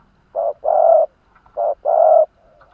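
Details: Decoy spotted dove from Vietnam, caged and used for luring wild doves, cooing loudly: a short low coo followed by a longer drawn-out one, the pair repeated twice in under three seconds.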